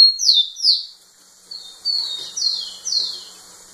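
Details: Rufous-collared sparrow singing intensely right in front of a female: clear whistled notes, each sliding downward, two loud slurs followed by a run of softer descending whistles.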